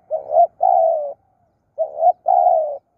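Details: Dove cooing: two phrases, each a short wavering low note followed by a longer steady coo, separated by a pause of about half a second.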